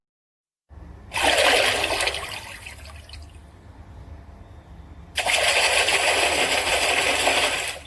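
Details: Two loud bursts of rushing water, like a flushing toilet, separated by a quieter trickle, with no animal voice.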